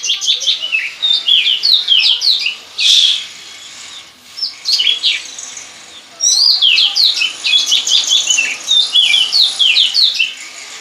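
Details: White-rumped shama, a kept songbird, singing in imitation of a bar-winged prinia: fast rich run of rising and falling whistled and chattering notes, continuous with brief pauses, one loud burst midway, steady background hiss.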